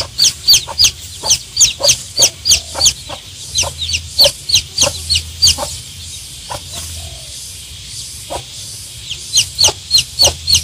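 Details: One-day-old baby chicks calling with rapid, high, thin peeps, several per second, in bursts with a short lull in the middle, over a low steady hum.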